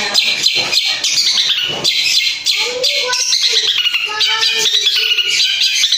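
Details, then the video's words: Long-tailed shrike lure song meant to provoke other shrikes into answering: loud, dense run of shrill, chattering high notes with harsh squawks, then lower clear whistled tones held and repeated in the second half. "SEKALI PANCINGAN CENDET APAPUN💯%PASTI NYAUT DAN IKUT BONGKAR MATERI FULL ISIAN MEWAH"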